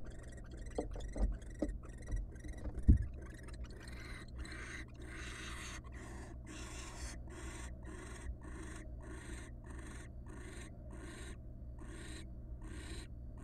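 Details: Wild barn owl in a nest box on the first night after its first nestling hatched, as the male brings a huge rat; knocking and rustling, then faint breathy hissing bursts repeating about once a second.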